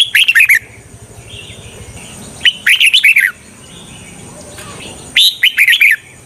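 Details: A decoy red-whiskered bulbul, kept to lure wild birds for trapping, repeats a short, cheerful phrase of four to six clipped, warbling chirps three times, about every two and a half seconds.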